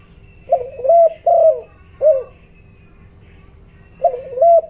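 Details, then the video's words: Spotted dove decoy bird with a 'giọng đồng' voice, used to lure and excite wild doves; low hollow coos in short two-part phrases, a pair then a single note, pausing before another pair, with a steady faint hum. "tiếng chim cu gáy kích bổi, tiếng chim cu gáy giọng đồng ,tiếng chim cu gáy hợp bổi"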